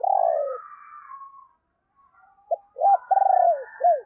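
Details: Decoy spotted dove calling and urging in a deep, booming voice, used to lure wild doves: one low descending coo, a pause, then a stuttered phrase of short and long falling coos.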